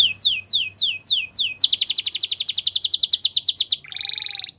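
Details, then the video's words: Belgian canary song: a series of descending slurred notes repeated about five times, then a fast pulsing trill for two seconds, ending in a softer buzzy warble. "Belgian Canary | Bird Sounds | Canary Singing"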